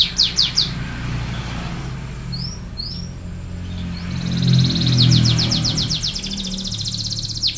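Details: Panda-patterned canary in lively song: a few quick descending high notes and two rising whistles, a pause filled with low rumbling hum, then a fast rolling trill of sweeping notes near the end.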